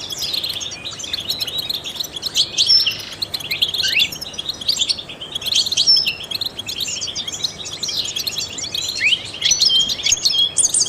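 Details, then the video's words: Trained European goldfinch singing, used to stimulate other songbirds: a continuous, rapid, high twittering of tinkling chirps and short rising and falling slurred notes, with a few clear whistled glints, over steady faint background hiss. "in the wild goldfinches chirp to stimulate songbirds"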